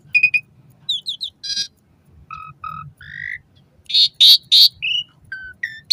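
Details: Asian pied starling singing, a recording meant for training caged starlings in the morning and evening: loud clear whistles, chattering clicks and harsh screeching bursts in a jumbled, varied sequence.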